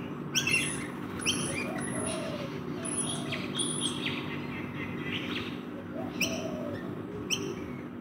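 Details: Rainbow lorikeets feeding in a backyard give harsh, high screeches in short clustered bursts that repeat every second or so. Softer low cooing and a faint background hum run underneath.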